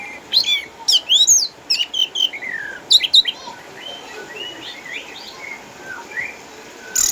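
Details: Orange-headed thrush, caged, eight years old, former Sukabumi contest champion kept at home because of cataracts, singing vigorously: a rich run of loud varied whistles and buzzy slurs, fading into softer warbling notes.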